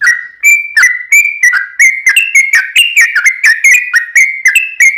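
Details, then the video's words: Yellow-vented bulbul song used to coax other bulbuls to sing back: clean, bright whistled notes in an even, unhurried series, each note sliding and rising slightly, with no other sounds. "trucukan gacor ROPEL PANJANG buat pancingan trucukan agar bunyi"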